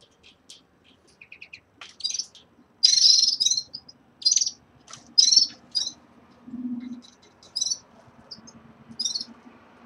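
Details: Caged red-fronted serins at the start of moult give high twittering song, loud buzzy bursts and scattered chirps in irregular phrases, with a faint low hum underneath.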